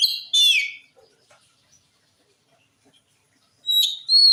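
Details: Oriental magpie-robin song meant to make other magpie-robins reply: a brief loud burst of descending whistled notes, a long near-silent stretch, and a final bright ringing phrase.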